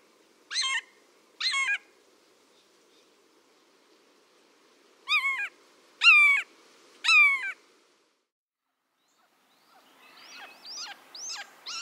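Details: A Red-shouldered Hawk, a forest buteo of riverside woods, giving loud, harsh, down-slurred 'kee-ah' screams, two and then three about a second apart, with a fainter run of calls at the end.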